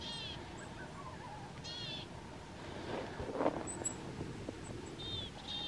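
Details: Marsh or willow tit at a winter feeder on 31 January 2022 utters a few hoarse, buzzy nasal notes, widely spaced, while faint high chips, a soft knock and constant low background noise are heard.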